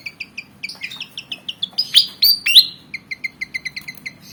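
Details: Javan fantail, black and white, about 19 cm, said to be insistent and wanting to fight; rapid repeated high chirps broken by three louder, harsher descending notes near the middle, then the quick chirping resumes.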